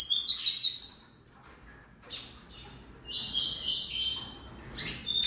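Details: High twittering phrases from a double-collared seedeater, a loud burst at the start followed by softer short chirps and a buzzy trill, with pauses between.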